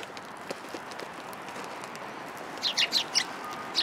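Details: Sparrows at a community hall on 26 February 2023, following someone in hope of food: faint rustling at first, then five clear, high chirps in quick succession near the end.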